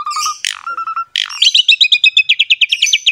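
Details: Asian pied starling, a captive bird singing vigorously, used as a master recording to coax quiet birds into song: low clear whistles and a harsh burst, then a fast run of bright chirps repeated about five times a second.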